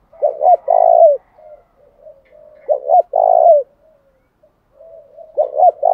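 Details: Spotted dove used as a lure bird to provoke rivals: two quick stuttered notes followed by a long, drawn-out coo that falls at the end. The phrase repeats about every two and a half seconds, with soft murmuring between phrases.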